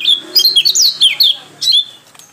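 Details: Lombok/NTT pleci white-eye singing ngalas-style, a rapid tumbling string of thin, high, slurred whistles and chirps, with a short gap before a final sweeping phrase.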